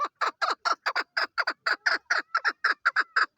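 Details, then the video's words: A female chukar partridge utters rapid, rhythmic, hoarse clucks, roughly four to five per second, steady and unbroken throughout. "Female chakor voice"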